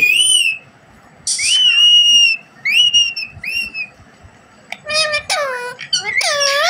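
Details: Captive desi parrot, a rose-ringed parakeet, talking: clear whistled tones rising then falling, a long steady whistle, and harsh screechy harmonic calls near the end, separated by short quiet gaps.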